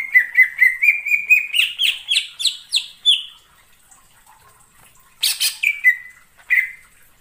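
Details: Wild forest greater green leafbird delivering a long rapid series of short notes that rise steadily in pitch, silence, then a few loud harsh chirps and slurred whistles.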